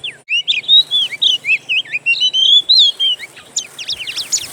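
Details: Oriental magpie-robin lure made of wild bird song, meant to provoke a kept bird into singing. A fast run of high whistled, slurred notes rising and falling, then a burst of sharp steep chirps near the end.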